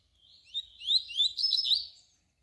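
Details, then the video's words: Double-collared seedeater song, tui-tui style, used to tutor young birds; a short burst of upward-sweeping whistles merging into a dense, bright warbled phrase that ends suddenly. "coleiro canturia bitola para ensinar seus filhotes"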